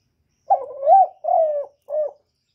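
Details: Spotted dove cooing: a drawn-out first coo, then a mid-length one and a short final note, all low and mellow, wavering slightly in pitch, against a silent background.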